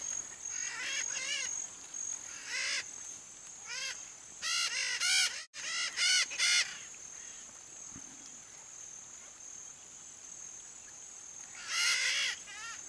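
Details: Wild red-shouldered macaw (Diopsittaca nobilis) in Brazil's Pantanal giving harsh, screechy squawks in irregular bursts, some in rapid runs of several notes, over a steady high insect hiss.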